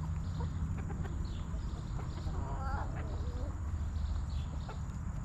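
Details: Backyard hens settled in their coop: one brief wavering cluck near the middle, with quieter scattered clucks, all over a heavy low droning hum.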